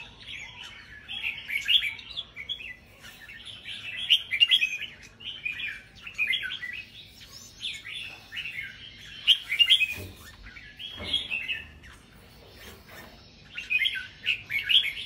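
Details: A singing contest of caged red-whiskered bulbuls. Short, bright whistled phrases and warbles come in uneven bursts across the whole stretch, separated by brief pauses. A couple of dull knocks sound near the middle.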